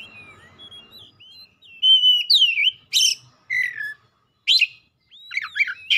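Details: White-rumped shama starting with soft sliding whistles, then building into loud swooping whistles, noisy rasps and quick twisting notes; a low hum underneath at first.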